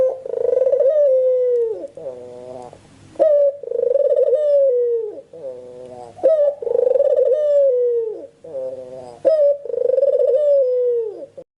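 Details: Lure calls of a Barbary dove, four drawn-out throaty coos that start with a clipped upward note and roll into a long, slightly quavering descent, evenly spaced indoors with little other sound.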